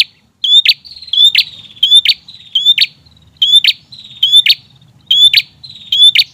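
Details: ['Loud, persistent prinia song meant to stir up raw birds: steady series of about eight phrases, each a thin rising whistle ending in a scratchy, buzzy burst, evenly paced.']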